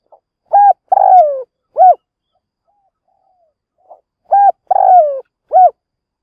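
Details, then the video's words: Decoy spotted dove in a trap cage, cooing to provoke and lure wild doves; two phrases about three seconds apart, each a faint pip, a short coo, a longer throaty coo sliding downward, then a clipped final coo, in silence. "Mồi lụp gáy kích bổi"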